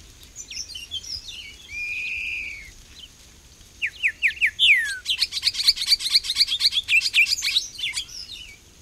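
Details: Grayish saltator in Costa Rica, captured on a Fujifilm XH1: scattered high notes and one drawn-out buzzy note, then a run of rising notes, a sweeping descending whistle and a long rapid chatter that fades out.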